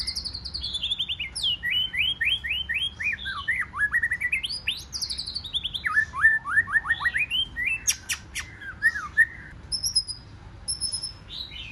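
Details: White-rumped shama, forest-voice singing used to stimulate a wild-caught shama to compete. Cascades of fast descending whistled notes repeat in series, rise again, then turn into sharp clicks and scattered high whistles.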